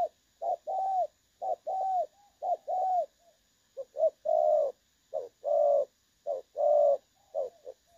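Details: Spotted dove kept as a trapping decoy with a clear voice: rounded coos in short-long pairs, some pairs quicker and fuller, about one per second, over a faint high background hum.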